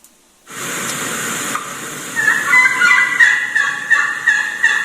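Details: A young gobbler gives quick, raspy, hen-like yelps, nearly three a second, sounding like a hen, with six or seven hens nearby, over a steady hiss of background noise.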